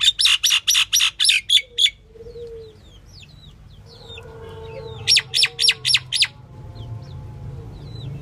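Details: A female common (Indian) myna calls in bursts of harsh chattering notes, about six in quick succession, then a pause with softer whistles before another rapid burst.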